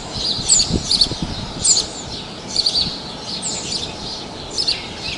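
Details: House sparrow at Praia de Pipa, Tibau do Sul, Rio Grande do Norte, Brazil, giving clusters of sharp, high chirps roughly every second, some notes sweeping downward, over a constant low hum of ambient noise.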